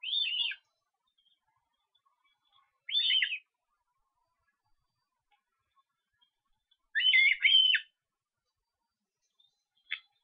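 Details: At an osprey nest in Estonia on 13 July, while the young are being fed, bursts of high, thin whistled chirps come in tumbling runs of rapid notes separated by silent pauses, against a quiet background.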